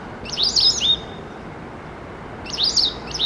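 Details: White Wagtail in its November territory, a place growing ever livelier as winter nears; two bursts of sharp, high, twittering chirps, the first quickly repeated notes ending in a thin slur, the second near the end, separated by quiet hiss.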